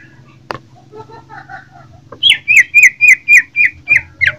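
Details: Fighting greater green leafbird from Jember: soft, quiet twittering and a faint click, then eight loud, ringing whistled notes, each dropping briefly in pitch, repeated about every quarter second over a low hum.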